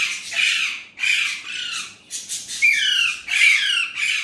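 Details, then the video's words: Indian ringneck parrot speaking Urdu/Hindi words in steady harsh, strained bursts, each about half a second long, some with a clear whistled tone running through them. "Indian ringneck parrot amazing talking parrot Mitthu || alexandrine parrot voice talking Urdu/Hindi"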